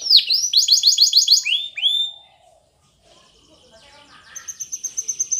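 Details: Spanish Timbrado canary song for training: a bright trill and falling whistles, a short near-silent pause, then a quieter rapid trill resuming with a thin steady high tone.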